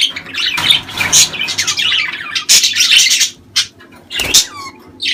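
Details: Budgerigars calling in a sound meant to prompt breeding: dense, scratchy warbling with sharp high chirps and squeaks, then a short lull and a loud final squawk.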